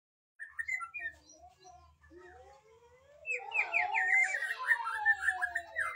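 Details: Magpie-robin singing: a few soft whistled phrases, then from the third second a dense, loud run of varied rising and falling whistles and chattering notes.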